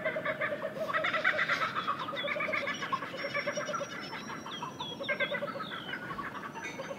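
Kookaburras in a raucous chorus of cackling, chuckling laughter that swells and falls, with thin high whistles from another bird behind.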